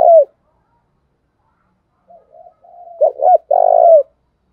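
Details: Spotted dove used as a decoy to provoke wild birds to coo in reply: a loud coo fades out, then after a pause come faint wavering notes, two sharp clipped notes and a long, rich, drawn-out coo.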